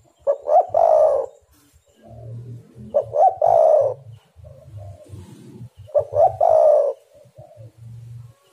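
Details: Repeated song of a spotted dove (tekukur) used as a lure for other doves: three similar phrases of quick rising notes ending in a long hollow coo, roughly every two and a half seconds, over soft low rhythmic thumps.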